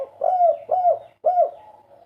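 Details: Kept spotted dove cooing three soft, low, hooting notes. Each note swells and then slides down slightly, and a pause comes before the third.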